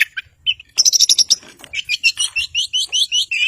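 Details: Long-tailed shrike singing strongly, used to provoke opponents and silent birds: a few scattered chirps, then a quick high buzzy burst, followed by a steady run of bright, slightly rising whistled notes.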